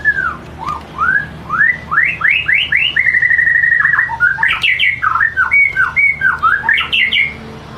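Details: White-rumped shama in rich lure song: a series of rising whistled slurs, a long steady whistle, then rapid bouncing notes and short chirps repeated about twice per second, clear over a soft background.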